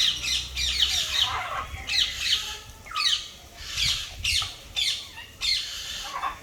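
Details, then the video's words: Parrot calling with a series of harsh, raspy squawks, roughly one per second, against steady low background rumble. "parrot sounds"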